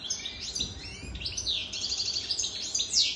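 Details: Brief run of European goldfinch song from a wild-caught bird over three years old: a dense stream of high chirps and trills ending in a sharp descending note.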